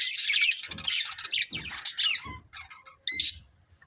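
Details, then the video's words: Several budgies chattering in high, rapid squeaks and buzzy warbles, with brief pauses and a sharp squawk near the end, plus soft low thumps. "Cute Colourful Budgies Chirping Sounds"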